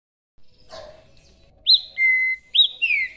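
Green-winged Saltator singing loud, clear whistles: a high upswept note, a long steady lower whistle, then a rich descending slur. A brief faint murmur comes just before.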